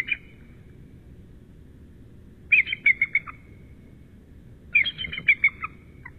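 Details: Incubating male bald eagle answering his mate at midnight on 10 March: three bursts of high, squeaky piping chatter, each a rapid run of short notes with a slight downward slur, several seconds apart.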